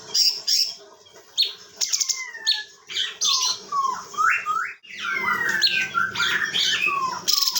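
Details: Captive Chinese bulbul from Bekasi, Indonesia, kept as a vocal tutor for other songbirds, delivering a dense run of varied whistles, quick upward and downward sweeps and sharp chirps with brief pauses between bursts.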